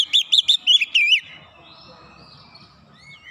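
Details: Oriental magpie-robin lure song to provoke a response: a quick run of six rippling, high whistled notes in about one second, then near silence with faint low background sound and a soft whistle at the end.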